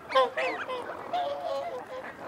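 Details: Whooper swans call at a feeding site shared with wigeon and mute swans. One loud bugled honk opens, then come a downslurred whistle and a run of lower, drawn-out nasal notes.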